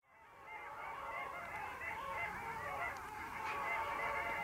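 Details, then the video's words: Long-tailed ducks at the Vistula river mouth on 8 February 2013: a continuous overlapping chorus of nasal, yodelling calls from many birds, rising in loudness after a quiet start. "Lodówki, (Clangula hyemalis), Long-tailed Duck, Eisente, Морянка"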